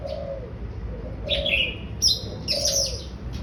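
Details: Oriental magpie-robin song of bright, buzzy, high chattered phrases in two bursts, over repeated soft, low dove-like coos and a background hum.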